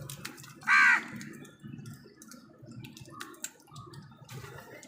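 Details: Crows squabbling with wild birds over food: a single short, rasping caw near the start, then low background rumble and soft scattered ticks.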